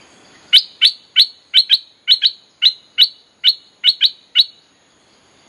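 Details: Bulbul sound used as a lure for wild birds: crisp, sharp chip notes, some in quick pairs, repeated about every third of a second, each with a short bright tail. Around a dozen in all, clean background.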